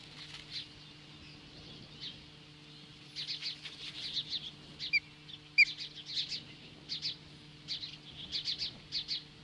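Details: Osprey at its nest in Hellgate Canyon near Lolo, Montana, confronting magpies on the morning of July 15, 2015, 10:26 AM: irregular bursts of short high chirps in quick runs, separated by brief pauses, over a steady low hum.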